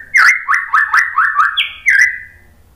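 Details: White-rumped shama phrase for prompting other birds to sing: five or six quick rising whistled notes repeated about every quarter second, then a higher note and a final level whistle.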